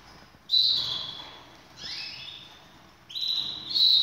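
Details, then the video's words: Canaries prepared for the breeding season; sudden high whistled phrases with a rising sweep in the middle, separated by quieter gaps, over low background noise. "طيور الكناري كلها جاهزة للتناسل"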